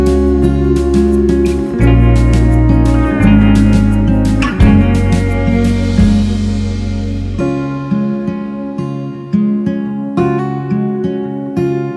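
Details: Plucked guitar music with deep sustained bass notes and sharp repeated strums, with no animal sound.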